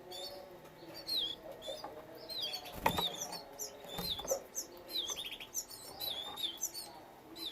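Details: Young Belgian canaries at a breeding setup give quick, high, upslurred chirps and short bright phrases that overlap from several birds, with a few soft flutters and clicks between them.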